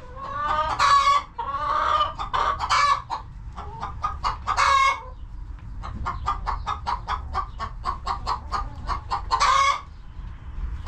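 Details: Farm chickens inside their coop: loud harsh squawks early and late, between them a long even run of rhythmic short clucks, low steady hum in the background.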